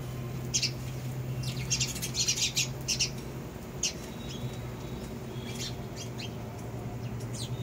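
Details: Several sparrows chirping busily, a dense run of sharp high notes early on, then sparser single chirps spaced out, with a steady low hum underneath throughout.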